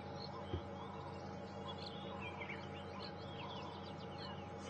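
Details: Arrow-marked Babblers chatter faintly in a loose run of quick, scratchy notes during a sunrise safari drive on February 11, 2015, over steady low rumbling and a man's voice.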